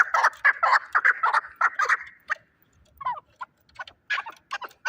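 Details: Shahritus fighting chukar partridge calling in a quick burst of loud clucking notes for two seconds, then a pause and softer, sparser chucks with a short upward-sliding note.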